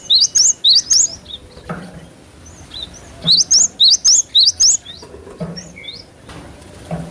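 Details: Cinereous tit in full song, a natural recording meant to make trained cage birds respond fast; two rapid runs of about six piercing, rising-then-falling whistles, then quieter scattered chirps.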